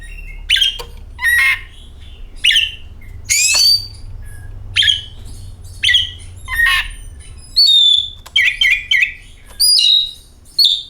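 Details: Oriental magpie-robin song as a lure to make the bird sing: steady series of short whistled and scratchy notes, roughly one a second, ending in quick, looping warbles.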